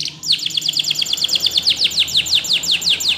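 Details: Spanish Timbrado canary singing a training song: a steady series of sharp falling chip notes, about five per second, bright and high, with a faint low hum beneath.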